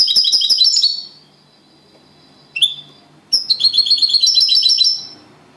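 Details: Champion European goldfinch singing copia Malaga: a short twittering phrase, a single sharp chirp, then a longer rolling sequence of high, rapid, liquid notes, with quiet gaps and a low background hum.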